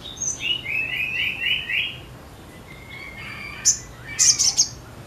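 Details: Sogon singing: short high whistle, then a string of buzzy repeated notes at middle pitch, a pause with a faint steady tone, and a burst of sharp high chips at the end.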